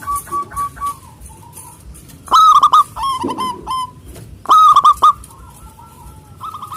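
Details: Local Indonesian zebra dove with a big voice, singing agitatedly to call rivals: strings of short, mid-pitched cooing notes, with two loud, rich bursts of rapid staccato coos standing out over a soft background of more distant cooing.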